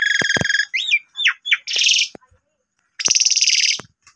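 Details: Asian pied starling in lively song, used as a lure to start other starlings singing. Buzzy pulsed notes and short wavering whistles lead to a pause, then a long harsh buzzing rattle.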